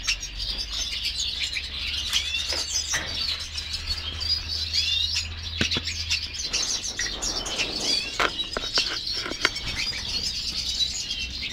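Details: Black siskins (Spinus atratus) keep up a dense, high twittering chatter of quick overlapping notes, with soft knocks or wing flutters and a faint low hum.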